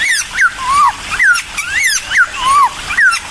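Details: Bulbul song played to draw a response from other birds: clear whistled phrases, each a rising-then-falling slur, alternating with longer drawn-out downward whistles, repeated in a steady loose rhythm.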